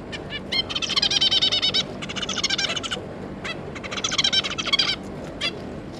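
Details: Zebra finch family of two adults and three juveniles, recorded 9 June 2022: three bouts of fast, buzzy, nasal chattering, separated by short pauses and isolated single notes.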